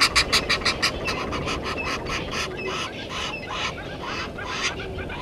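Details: Egyptian geese squabbling with intruder geese at a waterhole on Djuma Game Reserve, Sabi Sand Wildtuin, South Africa; loud, fast, hoarse honks, about three per second, starting strongest then a rough, broken chorus.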